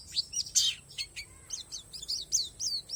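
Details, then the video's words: High-pitched chatter from a Palas Borneo white-eye, its song loaded with natural material; a loud sharp burst opens, then a string of small, evenly spaced downslurred tweets follows. "SUARA PLECI PALAS BORNEO"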